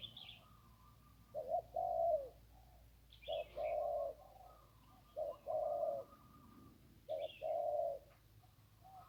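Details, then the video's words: Zebra dove from the Ping riverside, a wild bird with a single-kuk crow, gives four evenly spaced phrases, each a quick low note and then a longer buzzing coo. Thin chirps from another bird are heard between them. "นกคูอ่างเจ้าเสน่ห์ริมปิง ได้นกโล่ง 1กุกขันเพราะๆ"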